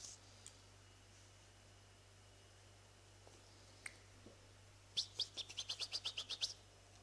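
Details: Seven-day-old European goldfinch chicks beg while being fed: a quick run of about ten thin, high chirps over a second and a half, above a steady low hum.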